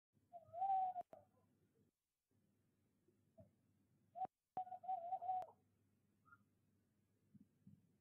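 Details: Tawny owl at night in De Mortel, Netherlands, 20 February 2021 at 22:02. A short mellow hoot is followed after a pause of about three seconds by a longer, quavering, wavering hoot, with a few faint clicks in near silence.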